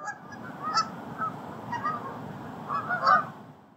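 Canada Goose giving five or six nasal, mid-pitched honks at irregular intervals, a pair close together near the end, over a steady low rumble.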